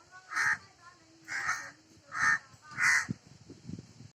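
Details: Crow giving four drawn-out, raspy caws about a second apart, with a faint tonal sound and low rumbling between them.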